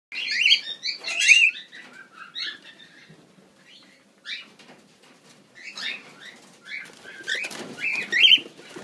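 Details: Grey cockatiels (Nymphicus hollandicus) give bright, scratchy chirps and short whistled notes in irregular bursts, about one a second, with a quieter stretch midway and some wing flutter.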